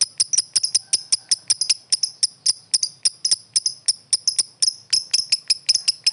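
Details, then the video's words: Lovebird calling a rival: sharp high chirps repeated nearly twice a second, often doubled, keeping an uneven but continuous rhythm. "suara burung lovebird memanggil lawan | the sound of lovebirds calling the opponent"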